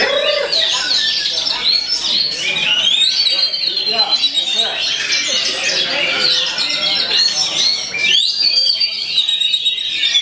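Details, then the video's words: Oriental magpie-robin (kacer) singing shama-like phrases while fending off rival birds: dense, loud run of high whistles and chattering notes with long rising and sliding strands, continuous throughout, with busy overlapping background voices. "TEMBAKAN SEMI MURAI BATU, TANGKIS LAWAN KELUARKAN MATERI ROLL PANJANG"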